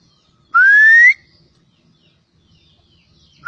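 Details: An Oriental magpie-robin of the Javan 'poci' type gives a single clear, pure whistle sliding upward, about half a second long. A second whistle begins three seconds later over otherwise quiet surroundings.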